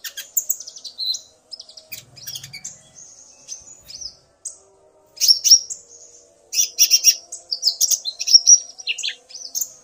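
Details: Male common iora provoked into song by a female's voice, the two alternating calls: scattered thin whistles and chips at first, then louder clusters of rapid, ringing chirps in the second half.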